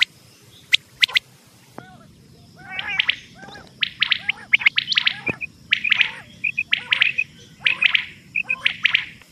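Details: Quail calling on a hunting cassette. Bursts of two or three bright chirps repeat steadily after a quieter start, with short whistled peeps between them and a faint continuous high hum.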